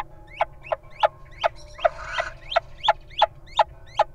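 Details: A little owl in the wild stands guard as its partner enters the nest box where nestlings were found in June. It gives a steady series of abrupt, piercing notes, about two per second, with a soft scuffling noise near the middle.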